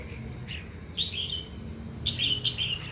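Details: Wild-caught red-whiskered bulbul, said to be a keen, frequent singer, prompted to sing: a lone short whistled note, then two quick bursts of bright, warbled phrases, each sliding slightly downward, over a low steady hum.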